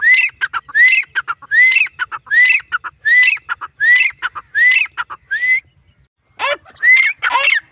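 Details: Steady rhythmic calling from a female grey francolin: about eight rising whistled notes in a row, each wrapped in dry clicks, a pause, then a rougher closing burst.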